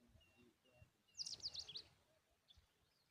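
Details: Tailorbird bringing a butterfly to chicks at the nest; a brief burst of five or six very high, thin chirps in quick succession, then quiet with faint distant notes.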